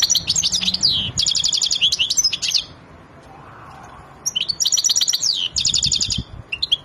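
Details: European goldfinch of the Wadani type, excited and ready to mate, sings two spells of fast twittering with rattling buzzy trills and whistled slurs. A silent pause of about one and a half seconds separates them, and faint low knocks are heard near the end.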